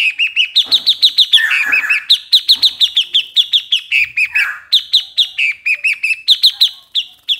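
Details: Continuous, energetic chattering from a Streak-eared Bulbul: a long run of rapid, bright chirps with hardly any pause for over seven seconds.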